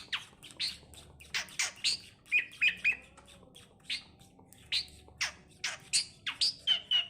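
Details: Tame, talking Asian pied starling producing repeated harsh, scratchy chatter notes, roughly several a second, with brief squeaky chirps, in a small room.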